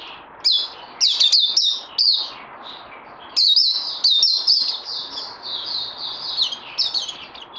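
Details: Songbird kept for training, recorded 18 May 2020: bursts of sharp, high whistles with twisting slurred notes, phrases separated by short gaps, ending in a sustained warbling stretch; light background noise.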